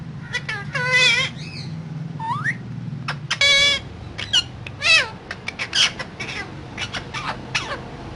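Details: Pet parrot talking: squeaky, warbling voice-like syllables with rising and falling tones, bursts of chatter scattered over the clip above a low background hum.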